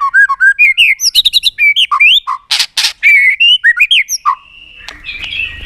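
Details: Varied White-rumped shama song to excite other shamas: rapid chains of rising whistles and chips, two harsh broad bursts, then a long steady whistle fading out.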